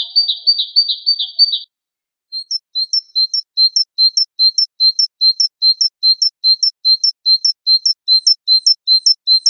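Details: Java sparrow, Wingko variety, in training-recording song: a buzzy rattling burst, a short silence, then a steady series of sharp two-note high chirps, roughly two and a half per second.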